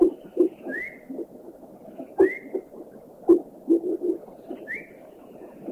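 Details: Common Iora from Thailand: short clear upslurred whistles, each rising quickly, repeated about every two seconds, over a steady background of low dull knocks and thuds.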